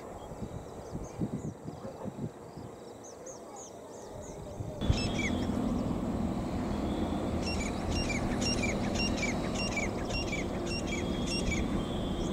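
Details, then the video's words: Grey francolin (teetar) giving a fast series of sharp, repeated high notes over a steady rumble of wind or traffic, with faint chirps from other birds early on. "Teetar Bird Sound"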